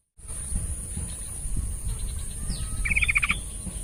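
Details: Yellow-vented bulbul singing, used as a lure for a bird reluctant to call: after a faint rising whistle, a quick rattling run of clipped bubbly notes, amid low thumping background noise.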